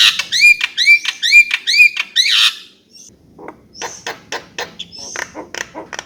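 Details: Javan myna repeating a bright whistled slurred note about once every half second, then switching to dry clicking and rasping chatter.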